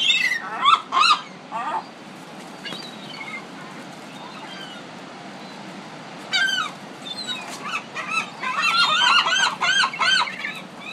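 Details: Gulls in a Pacific city, a few loud arched yelps, a quiet stretch, then a rising flurry of overlapping harsh cries from several birds.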